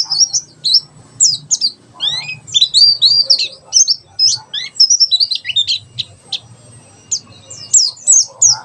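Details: Tembakan sejalur song of a mountain white-eye, meant as a learning tutor: dense high-pitched chattering of sweeping notes and twitters, long energetic runs broken by short gaps, a faint low rumble underneath.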